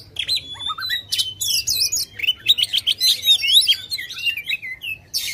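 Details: Aggressive white-rumped shama song meant to spur a silent bird into singing: a rising series of notes, then loud tumbling whistles, rattles and chirps, varied and energetic, over a faint low hum.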